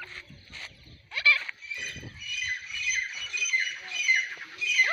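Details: Female grey francolin calling: harsh, strained, ringing notes with bright overtones run almost without pause, then end in quick falling squeals. A few low knocks sound early on.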